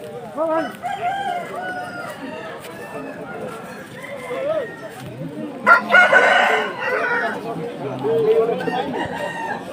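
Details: Domestic rooster at a busy market where chickens are bought and sold; a single loud, rasping crow lasting just over a second stands out midway through constant human chatter, with scattered quieter clucks before and after.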